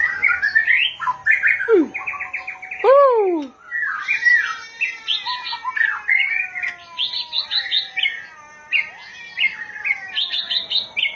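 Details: Oriental magpie-robin singing a varied, rich stream of whistled phrases: chattering notes, two loud descending slurs, then rapid warbled and buzzy phrases repeated with little pause.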